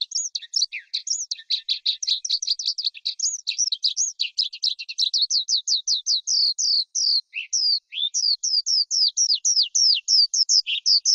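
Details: Skylark from the forest singing a continuous, busy stream of high notes, first fast jumbled twitters, then clearer falling whistles repeated at an even pace with short pauses, against a silent background.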